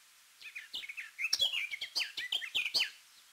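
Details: Dartford Warbler, a rare or passage bird in Corrèze, France, giving a rapid scratchy warble: a dense chatter of short, buzzy, twisting notes running continuously for about two and a half seconds.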